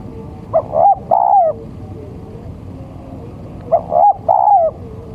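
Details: Two phrases from a male spotted dove used as a lure: each opens with brief soft coos before a long drawn, slightly descending coo, spaced about three seconds apart.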